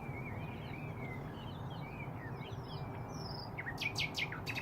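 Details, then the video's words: Nightingale song at Braziers Meadow, Orwell Country Park: a long, thin, level whistle, soft twittering slurs, then a loud run of sharp repeated notes near the end, with low background noise throughout. "Nightingales singing around Braziers Meadow, Orwell Country Park."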